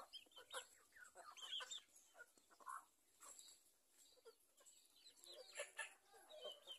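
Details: Free-range village chickens kept on a farm in Indonesia, giving a jumble of overlapping clucks and short squawks from several birds at once, with steady faint background hiss.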